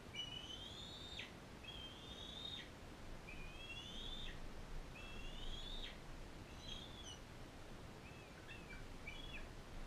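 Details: Bald eagles at a wildlife care centre, where a non-releasable captive adult female fosters a young bald eaglet from Powell River. Thin, high whistled notes slur upward and then drop, given about every 1.5 seconds over steady background hiss.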